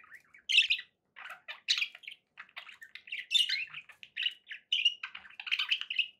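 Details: Companion budgerigars chatter with sharp chirps, buzzy squawks and rapid warbled notes, delivered in short, irregular phrases.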